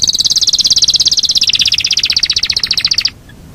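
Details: Yorkshire canary giving a long rolling song: a fast, even, slightly descending trill of rapidly repeated notes sustained for about three seconds, then stopping abruptly.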